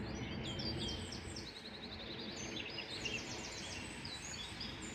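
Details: Birds chirping in a small village park: quick series of high, repeated tweets and twitters, several birds overlapping, set against constant low outdoor noise.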